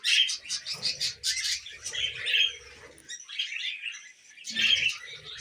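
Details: Tamed pet budgies eating millet keep up rapid, buzzy warbled chatter with bright chirps, broken by a short lull before a loud burst of twittering resumes, with soft rustling underneath.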